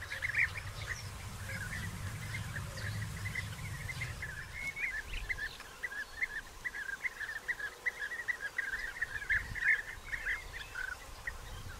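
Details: Colony of European bee-eaters in early June 2021, digging nest burrows, bringing courtship gifts and mating. A distant chorus of rolling, trilled calls continues throughout, with a low rumble in the first seconds.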